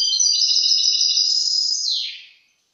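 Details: European goldfinch recorded in 2023: one long sustained high buzzy trilled note lasting about two seconds, stepping slightly higher midway, then sliding down and fading out in clean silence.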